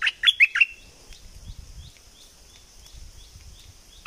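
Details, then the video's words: Southern Thai bulbul opening with four fast, emphatic whistled chirps in its 'sai ble' style, followed by quiet filled with a faint repeated high ticking and a steady hum. "เสียงนกดอกแตงภาคใต้ สายเบิ้ล!!!Burung merbah lekir gacor bahanan"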